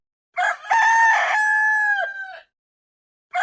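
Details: Rooster crowing: a loud harmonic crow opening with short rough notes, then a long steady tone held for about a second before dropping away; the start of another crow follows near the end.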